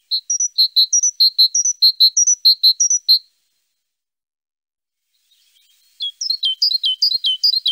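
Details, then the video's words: Great tit (Parus major) singing: a repeated two-note phrase, a high note followed by a lower one, given rapidly for about three seconds. After a pause, a second burst of quick, varied high notes follows. "Great tit (Parus major). Singing birds"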